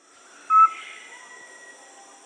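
A Rusty-belted Tapaculo gives one short, mellow whistled note at mid pitch, with steady high insect drone running behind it.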